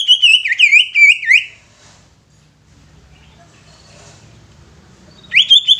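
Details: Caged greater green leafbird singing to make other leafbirds sing and become agitated. A burst of jerky, zigzagging whistled phrases, then a quiet pause with faint low background hum. A new loud warbled phrase starts near the end.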